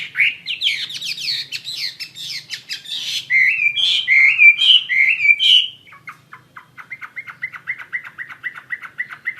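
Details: Wambi mandarin bird singing actively: a rapid jumble of varied chirps and warbled notes for about six seconds, then a steady series of short, evenly spaced chirps repeated several times per second.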